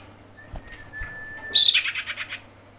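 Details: Thin, steady high whistle held for over a second, then a burst of harsh chattering notes slowing into separate pulses; a female common iora calling the male.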